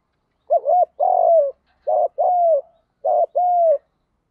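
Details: Spotted dove urging call for training birds, field-voice style. Three clean coo pairs sound: a short double-dipped note, then a sustained coo sliding downward, in quiet surroundings.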